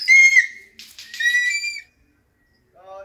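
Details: Hawk-eagle being trained gives two or three sharp, high whistled squeals, then falls silent before a faint lower note at the close.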